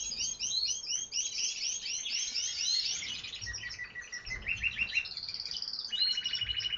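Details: Singing canaries pour out quick rolling high notes in rapid succession, then shift to varied chirps and finish with a sustained, rapid, even trill.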